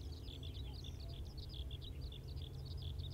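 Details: Series of bright, high chirps from a Common Reed Bunting in Hokkaido's Wakka Primeval Flower Garden, short notes repeated several times a second, partly masked by a strong low-pitched rumble.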